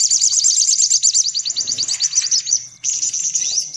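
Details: Brown-throated sunbird, noisy chattering used as a lure for sunbirds: rapid high-pitched ticking notes in a fast run of about three per second, a brief dip, then a renewed dense twittering burst; faint low hum beneath.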